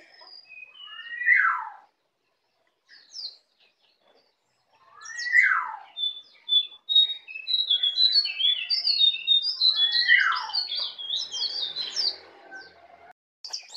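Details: Native Bali white-eye, a young bird still learning the ngeplong song, gives strong descending slurred whistles at intervals, then a run of rapid high thin twitters and chirps in the later half.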